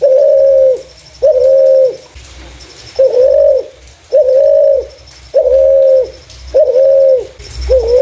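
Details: Spotted dove calling clearly, a voice used to lure other doves: a long, steady run of seven low, flat coos, each under a second, spaced about a second apart.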